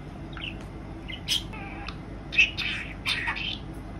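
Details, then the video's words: A pet female budgerigar chatters indoors in quick, scratchy bursts of high warbled and clicking notes, with short pauses between phrases; she talks a little despite being female. "セキセイインコ メスのおしゃべり！ 女子インコでもおしゃべりします"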